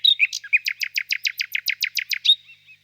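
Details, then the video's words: Nightingale in a birch grove on a warm spring evening, singing a fast, even trill of about fifteen sharp repeated notes after a few introductory chirps, ending with a soft fading note. "Пение соловья"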